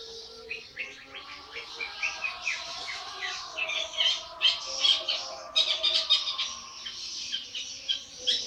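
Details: Eighty-day-old young long-tailed shrike in full song, a dense chattering stream of harsh, buzzy high notes mixed with thin whistles, varied and continuous, faint lower hum beneath.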